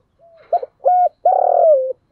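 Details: Decoy spotted dove calling to rouse wild doves to coo and come to the fighting spot: a faint low murmur, then two short loud coo notes followed by a long, level coo that slides slightly downward at the end.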